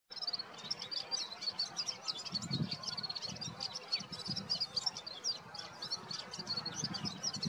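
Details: Red-fronted serin in March gives a continuous, very high, rapid jingling twitter without pause, over a low rumble of wind or background noise.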